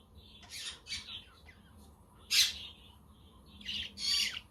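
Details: Pet budgerigars on a windy, sunny day, a quaker and a conure heard in the background; a few scratchy chirps followed by loud harsh squawks with gaps between.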